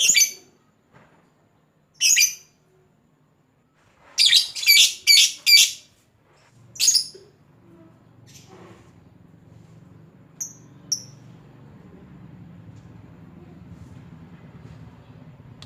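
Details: Lovebird giving a lure call to draw out a rival, in short bursts of shrill, buzzy chattering two to four seconds apart, with a quick run of four bursts, then a low hum and two faint high chirps.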